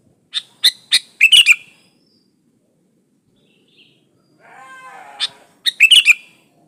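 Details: Sooty-headed bulbul in lively, unmixed song, used to lure other bulbuls: a series of sharp chirps building into a bubbly phrase, a pause, a softer harmonic, buzzy sound, then another burst of quick whistled notes.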